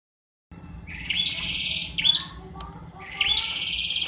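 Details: Bar-winged prinia singing energetically: three buzzy, rising phrases with bright upper flicks, each about half a second long and spaced about a second apart, over a faint low hum.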